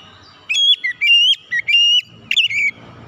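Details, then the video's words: Oriental magpie-robin (kacer) calling shrilly to stir a quiet bird into responding and singing; four loud, piercing whistled notes about half a second apart, each bending up or down. "jeritan Kacer memanggil"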